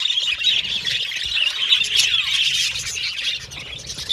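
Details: Australian budgies kept as pets whistling, chattering and singing together, a dense continuous flock chorus of high squawks and chirps with no pauses.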